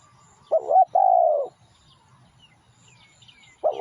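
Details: Spotted dove cooing, recorded for luring: one full phrase of a short wavering note and a longer even coo, then silence with faint high bird notes and the start of the next phrase.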